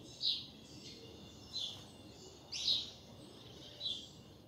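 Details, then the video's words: Double-collared seedeater singing a song used for training young birds: four short, high, bright chirpy phrases about one a second over steady background hiss. "Melhor canto de coleira - canto para encarte de coleira"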